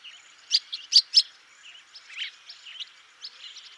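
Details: A swallow from Russia twittering rapidly, a run of bright high chirps followed by softer chattering notes, with little background sound.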